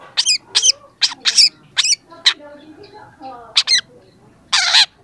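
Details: Full song of a young long-tailed shrike, a recording meant to train other birds: loud, harsh, ringing notes in separated clusters, one brief wavering squawk near the end, with soft low murmuring between phrases.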